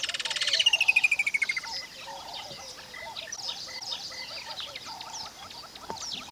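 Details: Woodland kingfisher (Halcyon senegalensis) calling in Mashatu Game Reserve, Tuli Block, Botswana, a rocky riverine area: one loud, high trill sliding downward over about a second, over a background chorus of small birds and chirping insects or frogs.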